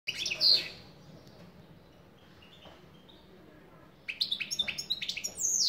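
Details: European goldfinch singing: a brief bright twittering burst opens, followed by a long quiet pause, then a rapid run of high, tinkling, buzzy notes and trills resumes near the end.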